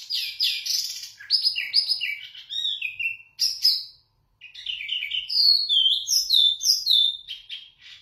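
A zebra finch sings a rapid, chattering run of high chirps and short slurred whistles, pausing once briefly before resuming. No other sounds are heard.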